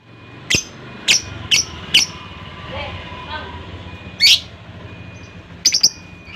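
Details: Lovebird chirps, four short sharp notes in quick succession, then a louder squawk and a final stuttering triple chirp, against a noisy background hum.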